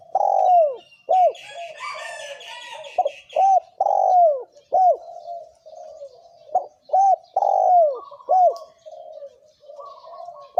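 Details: Male and female spotted doves in thổ kim cooing to draw in wild doves: rapid, closely packed phrases of short arched coos and long falling coos, with a burst of chattering from other birds early on.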